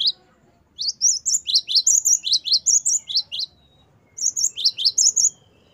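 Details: Great tit (gelatik batu) delivering 'gacor wucit' song for teaching captive songbirds: two bouts of rapid, high, squeaky double notes, about a dozen in the first and fewer in the second.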